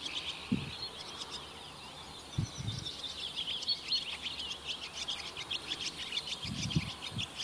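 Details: Barn swallows at Oostvaardersplassen, September 2016, heard from a bird hide with a Panasonic Lumix GH4: ongoing high chattering twitter over a noisy background, with occasional low thumps.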